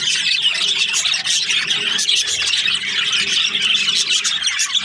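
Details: Breeding-pair budgerigars keep up dense, squeaky chirping and warbled chatter, with many birds calling at once.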